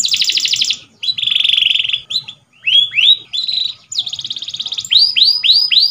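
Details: Canary song used for training other canaries: a fast rattling trill, then a steady buzzy trill, rising whistled notes, another rapid trill and a series of upswept chirps, loud and continuous.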